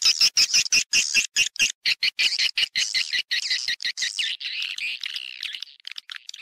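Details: Swiftlet calls from a stereo panggil and inap recording: fast rhythmic ringing chirps at first, merging into softer continuous twittering that fades away at the end.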